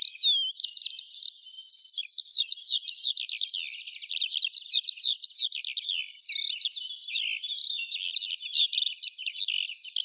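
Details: An extended skylark song, a relentless outpouring of fast trills, rattles and chirps, with buzzy repeated passages flowing seamlessly into twittering, with only short breaks.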